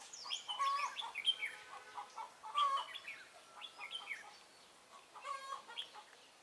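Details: Decoy red-whiskered bulbul in a trapping session on 23 March 2018, giving fighting song. Bursts of lively, twisting whistled notes come in clusters a second or two apart, mixed with lower, rich clucking calls from nearby birds.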